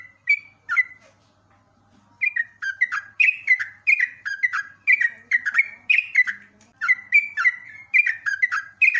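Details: Caged Sooty-headed bulbul in full, lively song for training other birds: a lone whistle and a short pause, then a steady run of liquid, downward-slurred whistled phrases with crisp clicky onsets, packed closely together. A soft low hum sits in the background.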